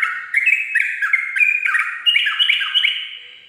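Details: Sooty-headed bulbul singing in ropel style at dawn: a rapid, near-continuous run of short bubbly, chirpy notes, about three per second, weaving up and down in a bright mid-high register, with no other sounds.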